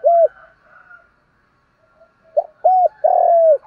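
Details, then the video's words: Spotted dove lure call in the morning, meant to provoke fighting. One low coo note opens, then soft distant cooing, then a phrase of a short hoot, an arched note and a long falling coo. "tiếng chim cu gáy mồi kích bổi buổi sáng kích bổi nhanh nổi [ thúc đấu + gáy gọi ] cu cườm gáy gọi"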